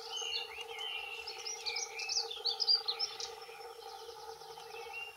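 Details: Two male dunnocks singing territorial song: quick, high, jumbled warbles of thin squeaky notes lasting a few seconds, over a steady low mechanical hum.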